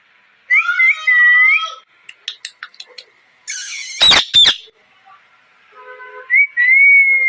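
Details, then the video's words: Ringneck parrot calling loudly: drawn-out whistled harmonic notes with bends, a run of short sharp clicks, then two harsh broadband squawks, followed by softer wavering whistles. "Loud parrot noise || parrot talking sounds parrot chirping voice|| ring nick parrot"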